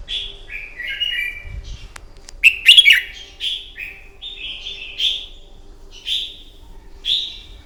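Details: Red-whiskered bulbul fighting song at morning, meant to train a bird: lively string of clear whistled and warbled notes, paired falling slurs, a loud rich burst near the third second, then evenly spaced whistles.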